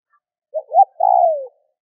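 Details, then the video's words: A single Spotted dove phrase used to stimulate other doves to call: a soft short note, a rising hoot, then a long, throaty coo sliding downward. "Tiếng cu gáy kích bổi nhanh gáy hiệu quả"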